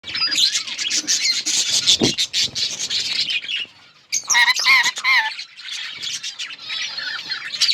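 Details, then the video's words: Budgerigars in a breeding colony, many birds chirping at once: dense, overlapping warbled chatter and squawks, with a short pause near the middle before the chorus resumes. "Budgies parrot chirping sounds budgies birds enjoying in budgies colony"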